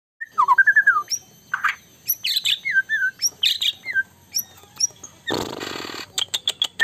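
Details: White-rumped shama singing very actively, said to make rival birds agitated: varied whistled phrases, a wavering descending run, then short upslurred notes and sharp chips, with a brief harsh rattling burst near the end.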